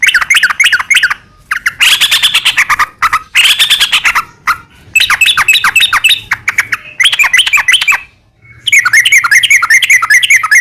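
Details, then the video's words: Long, varied yellow-vented bulbul singing in the rolling ropel panjang style, used as a lure for other bulbuls: arching bubbly phrases, choppy chirp runs and a closing fast trill of repeated notes. "trucukan gacor ROPEL PANJANG buat pancingan trucukan agar bunyi"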